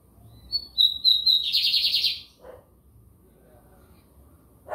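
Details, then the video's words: Song of a White-throated seedeater from São Luís, Maranhão, Brazil: high whistled opening notes followed by a rapid, buzzy trill, then silence broken by a short dog bark and another bark at the end. "BIGODINHO AMERICANO / 15 MINUTOS SÓ DE CANTO"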